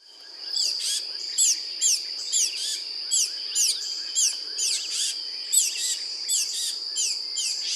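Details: A juvenile Tufted Titmouse gives its "dee"-like begging notes, high and down-slurred, about two each second, over a steady, shrill insect drone. This is a sound often heard at backyard feeders.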